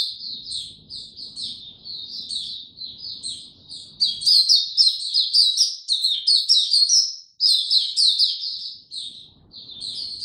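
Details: Caged Oriental white-eye, song recorded 2 May 2022 in a slow and easy style. Soft, high twittering builds into a loud, dense burst of bright chirps, then a brief break and more rapid twittering. Low background murmur.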